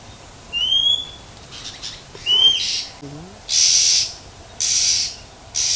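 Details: Female wild Oriental magpie-robin calling in the open to stimulate males: two bright upward-slurred whistles, then three loud breathy rasping bursts spaced about a second apart.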